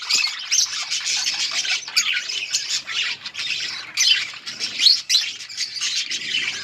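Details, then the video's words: Many budgies chattering together while feeding in a colony; steady high-pitched warbling and harsh squawky notes overlap throughout without a break. "Budgies parrot eating and chirping sounds budgies colony"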